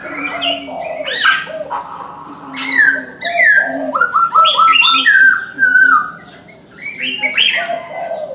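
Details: Morning call of a Chinese francolin: strong, harsh phrases of four or five descending stepped notes repeated in bursts, with a brief quiet spell before another phrase, accompanied by background chirps of other birds.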